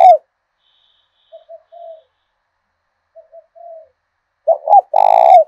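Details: Spotted dove used as a decoy, southern Vietnamese thổ đồng voice: a few faint, soft low coos separated by silence, followed at the end by a loud double note running into a long resonant purring coo.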